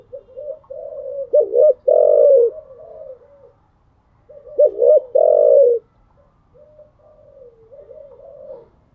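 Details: Spotted dove cooing in the morning, kept as a pet bird: two loud phrases, each a stuttered hoot into a long deep coo, framed by soft trailing murmured coos.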